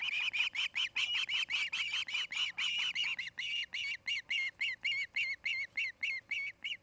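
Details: Osprey pair at a new nest near Charlo, Montana, during the nesting season: a long run of shrill, whistled chirps, about two per second, each a sharp arched note, steady and loud throughout.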